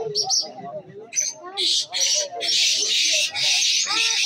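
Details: A black francolin at a local calling contest in Pakistan gives loud, harsh, grating bursts in a rapid repeated series, with people talking underneath.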